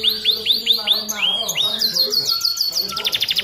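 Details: Caged canary in full song, used as a master tutor song to stir other canaries: rapid series of down-slurred whistles, then long buzzy trills and fast repeated chips, all high-pitched and continuous.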